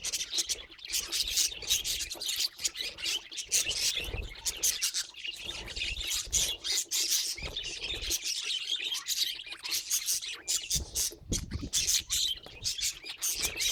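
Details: Budgerigars kept as pets, producing dense, continuous high-pitched chattering and scratchy warbling, with sharp chirps overlapping throughout and no pauses.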